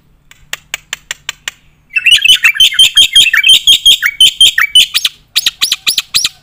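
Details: Black-winged myna in loud gacor song with nembak fills for training competition birds: soft spaced clicks give way to a dense stream of buzzy chattering notes with dipping whistles, ending in strong repeated harsh calls.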